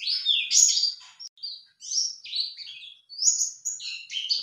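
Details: Lure song of a white-eye, used so a male bird replies: bright, rapid warbling bursts of high chirps and slurred whistles in short phrases separated by brief gaps.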